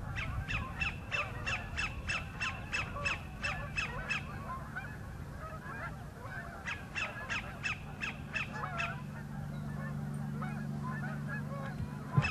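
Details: Singing for a mate, a sandpiper at Horicon Marsh, northern end, delivers long rapid series of clipped downslurred notes, pausing midway, while a steady low mechanical drone hums underneath.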